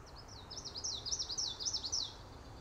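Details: Common yellowthroat (Geothlypis trichas) singing from cattail stems in Montreal, Canada: about five rapid, high, rolling phrases repeated in quick succession, each a bright wavering warble, over a low background hum.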